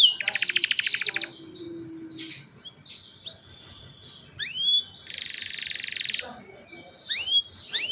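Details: Singing young canaries, kept to prompt other canaries into song, cellphone recording: a loud buzzy trill opens, then soft phrases, clear downward-sweeping whistles, and another dense buzzing roll near the end.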